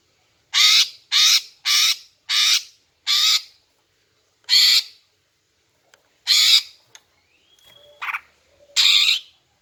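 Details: Greater green leafbird female giving calls meant to attract males: a quick run of five harsh, rasping squawks, then three more spaced out, with faint thin whistles and a brief tonal note late in the sequence.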